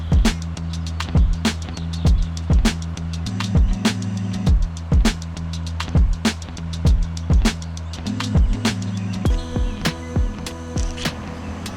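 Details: Rhythmic background music with steady low bass and sharp percussive beats throughout; no animal voices stand out.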